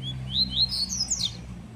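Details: Newly arrived Double-collared Seedeater, a loud, prolific singer, on its first day out early in the morning and a bit frightened, sings a fast run of high, slurred whistles that rise and fall, climbing toward the end, over a low hum.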